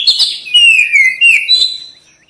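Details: Oriental magpie-robin in vigorous song, used as therapy for quick response and tail opening. Rich, slurred whistles glide downward in linked phrases, loud throughout and fading at the close.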